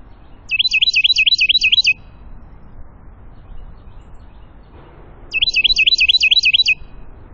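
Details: A wren at feeders by natural woods and a creek in the foothills of the Appalachians, north Georgia, about 1,060 ft, sings two loud, rapid bursts of about eight high, sharp repeated notes, a few seconds apart, over a faint low hum.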